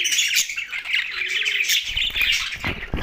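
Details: Busy, high-pitched chatter and squawks of a young budgerigar, steady throughout, with a few low knocks and rustles near the end.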